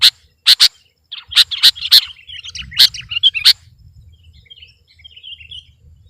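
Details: Sooty-headed bulbul (kutilang) singing persistently against a rival: crisp bursts of sharp chirps and bright notes for about three seconds, then a thin, quiet warbling tail over a faint low hum.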